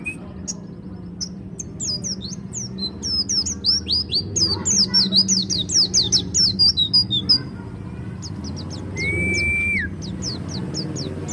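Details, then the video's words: Pleci dakun white-eye from Malang, Indonesia, in ngalas ngeroll song style: rapid high, thin chirps and downslurred notes, several per second, swelling mid-clip, then a steady level whistle and a few sharp tweets, over low background rumble. "Pleci dakun malang ngalas ngeroll"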